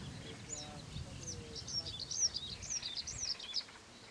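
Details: Paddyfield warbler song, recorded in Romania on 27 May 2015: a fast, jumbled run of high, squeaky and chattering notes, about two per second, over a low background rumble.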